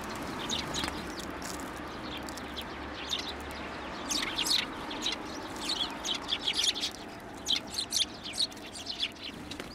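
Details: Sparrows hopping onto a person's hand to be fed at a Tenmangu shrine on 1 January 2024. Bright, short chirps come in loose clusters, growing busier and louder in the second half, over a low steady background hum.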